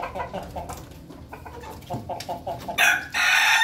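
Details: Ayam Ketawa chickens, a flock feeding together in their coop, giving short repeated mid-pitched clucks in a loose rhythm, ending in a burst of loud broadband rustling noise.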